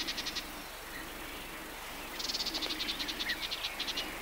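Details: In a riverside grove along the Matarraña, June 2011, a Sardinian warbler gives a short ticking rattle, then after a pause a longer, louder run of rapid harsh clicks lasting about two seconds.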